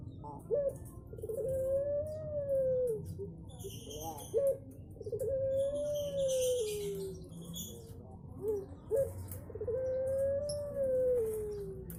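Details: Melodious coo of a Barbary dove: three drawn-out, gently arching tonal coos, each introduced by a couple of short abrupt notes, spaced roughly four seconds apart against steady low rumble.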